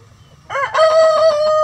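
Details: Rooster of a mixed egg-laying chicken flock crowing in the coop. A short rising note is followed by a loud, sustained, strongly harmonic crow that holds a steady pitch to the end.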